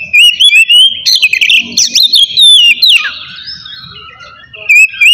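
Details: Oriental magpie-robin ngeplong song for provoking rival or silent birds to sing: loud rapid whistled phrases, rising and falling slurs and dense chipping, then a pause before fresh whistles, faint low noise behind.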